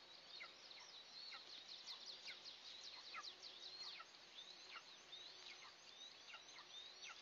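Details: Two eastern imperial eagle eaglets at their first feeding of the day, 29 June 2024, in a nest on a pine 20 m up in an oil and gas area: thin, high chips and short downslurred squeaks, one or two a second, over hiss.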